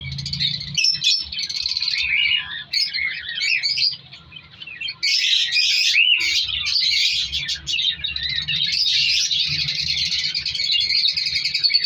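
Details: African lovebirds in a captive breeding colony with nesting pots, winter breeding season: dense, continuous high chirping and squeaky chatter from many birds, briefly quieter near four seconds before swelling again.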